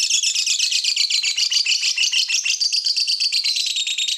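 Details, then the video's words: Lovebird song used to prompt other lovebirds to sing: dense, loud, high-pitched twittering with rapid squeaky and buzzy notes tumbling in a continuous stream. "Suara burung lovebird ini ampuh bikin lovebird lain ikut gacor"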